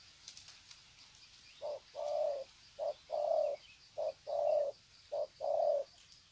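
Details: Spotted doves at Sesan, Vietnam, recorded 21 February 2020, greeting one another in long cooing bouts: four evenly spaced pairs, each a short clipped coo followed by a longer, fuller mellow coo, over a quiet hiss.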